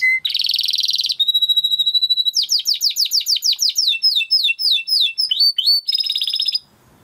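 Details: Timbrado canary song for training: a low whistle into a dense buzzy roll, a sustained high whistled tone, quick falling notes repeated several times a second, then a bright trill before silence.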